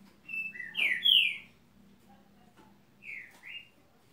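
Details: Green-winged saltator song: a bright phrase of four quick whistled notes, a pause, then two softer slurred whistles, over a faint low hum.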